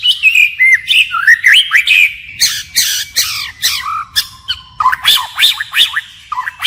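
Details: Forest-voiced song of a white-rumped shama that keeps changing its phrases: slurred whistles, harsh raspy bursts, a long low held note, then quick twittering upslurs.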